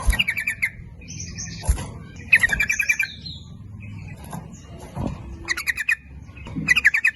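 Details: Lure song of a sooty-headed bulbul, lively nguplik ropel style aimed at both sexes: gurgling chattered phrases with scattered high whistles and a soft thud, fairly busy background.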